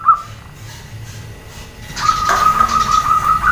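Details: Female zebra dove calling to provoke males to answer: a brief opening note, then a long, steady, fluttering coo held at one mid pitch over faint background noise.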